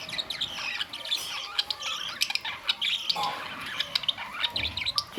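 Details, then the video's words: Budgerigar chatter from May 2, 2023: a dense, continuous stream of scratchy warbles, chirps and squawky notes running without break. "Budgies parrots"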